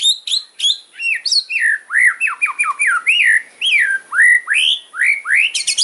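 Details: White-rumped shama pouring out a loud kretekan fighting song with sharp fills to provoke rivals: a steady run of bold slurred whistles rising and falling, about two per second, ending in rapid high ticking.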